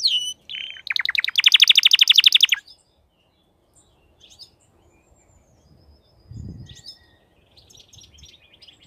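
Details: Crested canary in full song opens with clipped whistles, then a loud, rapid, evenly pulsed trill for almost two seconds. Faint scattered chirps and a brief low thump follow in a quiet stretch.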